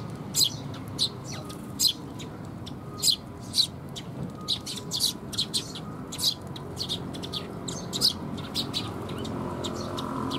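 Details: Eurasian tree sparrow fledglings being fed by parents, recorded 6 May 2021: many quick, high chirps in irregular bursts, some doubled, over a steady low background hum.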